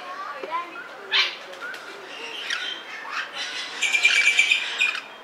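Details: Sulphur-crested cockatoo at Belgrade Zoo, Serbia, 2021, gives harsh, broadband rasping calls in short bursts, growing louder and noisier near the end, with fainter chatter and flutter around.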